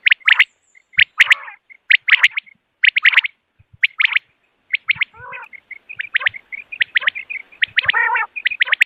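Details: Morning call of common quail used for hunting: steady, crisp, high triplet notes roughly once a second, with occasional short gravelly, buzzy bursts among them.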